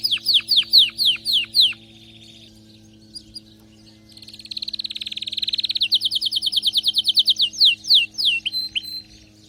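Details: Excited canary delivering loud falling whistled notes, then a brief quiet spell. A rising buzzy roll follows and merges into rapid clipped notes and a final set of descending slurs.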